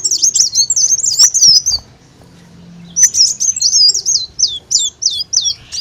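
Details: Olive-backed sunbird song used as a lure to attract birds: two bursts of thin, high, rapid twittering with quick up-and-down slurred notes, separated by a near-silent pause of about a second.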